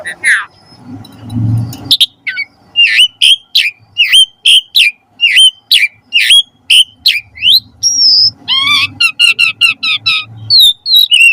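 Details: Asian pied starling singing, recorded as a master track for kept birds: a rapid series of sharp whistled and buzzy notes, one every half second, then dense trills and high whistles, with low rumbling noise in places.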